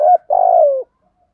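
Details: Single spotted dove coo phrase in the thổ Thúc Gù style, used as a lure call for wild doves: a brief low note, a short pause, then a longer quavering coo that slides downward at the end.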